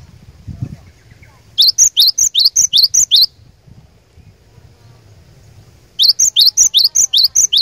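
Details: Cinereous tit used as a lure bird, singing persistently to provoke rival tits into song: two bursts of about eight rapid alternating notes, a high flat whistle paired with a lower swooping note, separated by a quiet pause with faint low rumble.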